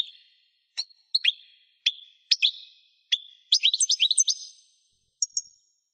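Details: Caged European goldfinch song: separate bright chirps and short liquid twitters spaced about half a second apart, then a quick cluster of high tinkling notes and two final thin chirps.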